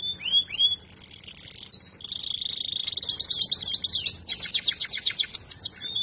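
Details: Domestic song canary bred for sweet singing: a varied high song of rising whistled slurs, a steady buzzy note, then fast repeated trills of sweeping notes.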